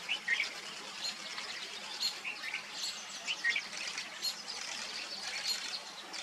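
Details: Vernal hanging parrots feeding on pearl millet in August: thin, high, squeaky chirps and short twittering notes given in loose, irregular bursts, some sharper notes standing out, over a steady background hiss.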